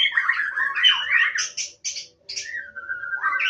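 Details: Rich warbling by a wild White-rumped shama in Indonesia: tumbling, rapid phrases, then several short buzzy high notes after a brief gap, ending in a level whistle and a rising flourish.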